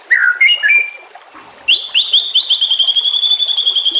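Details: White-rumped shama singing as a training master, with water flowing behind: short warbled phrases, a pause, then a fast, even trill held at a high pitch to the end.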